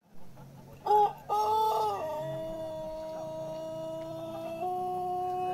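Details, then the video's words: Pelung chicken long crow: two short rising notes open it, followed by a long level harmonic tone held over three seconds with a slight step up near the end. "Suara ayam pelung kokok panjang/kebat"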